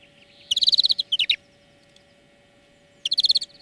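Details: European greenfinch song from a lesson for training birds: a fast rolling trill of bright twittering notes with a few lower slurred notes, then another rapid trill after a pause.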